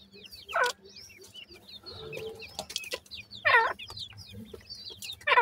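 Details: Francolin (teetar) chicks feeding: a steady scatter of thin, high, curved peeps overlapping one another, broken by three louder, rougher chirping bursts, with soft pecking taps and a low hum underneath.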